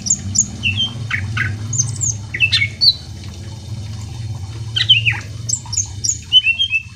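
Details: Greater green leafbird song to stir other leafbirds into singing: scattered sharp high chirps and short slurred whistles over a steady low hum.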